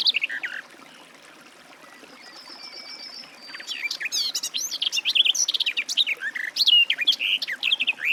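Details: After a quiet start with a brief thin whistle in the distance, a garden warbler launches into a long, rapid, chattering warble of varied mellow and scratchy notes.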